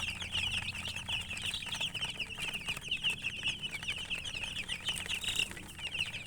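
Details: Colored chickens chirp busily together, making a thick stream of high, piercing peeps repeated several times a second, a few louder bursts near the end, and a faint low hum beneath.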